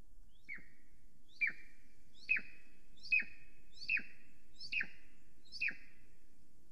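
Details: Golden eagle, female, at an Estonian live-camera nest site on a July morning, arriving, preening and flying around the nest while calling: a series of seven short, sharp descending whistled yelps, roughly one every 0.8 seconds, over low background rumble.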